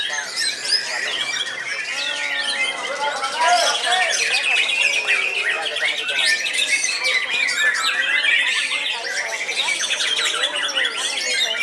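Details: Oldest caged white-rumped shama still singing when hung up: long, unbroken outpouring of whistles, trills and harsh chattering phrases, dense and loud throughout.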